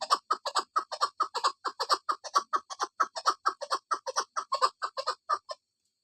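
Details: Female chukar partridge calling: a fast series of harsh clucking notes, about two per second, steady and repeated for over five seconds, then silence.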